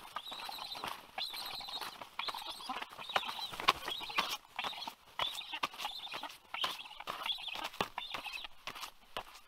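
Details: A black stork chick, the last sibling left in the nest, at Karula, Estonia, on 27 Aug 2022, begs for twenty minutes with rhythmic, wheezy hissing bursts about twice a second amid sharp knocks and clatters, until an adult flies in and feeds it for the last time.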